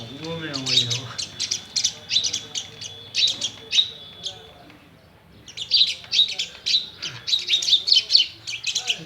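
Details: Household myna in India facing a mirror: a thin steady whistle under rapid grating chirps, a pause of about a second, then a busier stretch of rasping, clicking chatter; faint human voice at the start.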